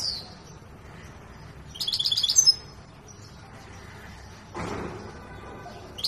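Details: Large Himalayan saira canary, singing during training near Quetta: one brief burst of high, rapid trilled notes in the middle, then quiet background with a soft rustle.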